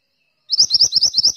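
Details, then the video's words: Mantenan bursting into song with a fast series of bright, high, evenly spaced chirps after a brief moment of silence. "suara burung mantenan gacor"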